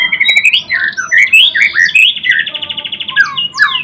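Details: White-rumped shama, Murai Blorok variety, singing energetically: a dense, varied run of warbled whistles, rising slurs and a fast buzzy rattle, the phrases flowing without pause.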